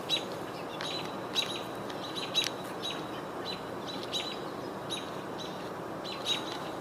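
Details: American Robins calling in alarm because a hawk is nearby, recorded 22 June 2023 outdoors: short sharp high chirps at irregular intervals of about half a second to a second, over steady background noise.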